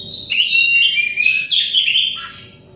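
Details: Oriental magpie-robin pouring out a quick, varied whistled phrase, used as therapy for stressed birds; bright sliding notes fading toward the end.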